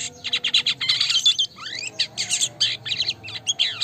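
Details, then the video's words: A Black-winged myna (black-winged starling) in full song pours out a fast, varied medley of harsh chirps, buzzy notes and rising whistled sweeps, broken by brief pauses, over a faint low hum. "Burung Jalak Kapas Gacor"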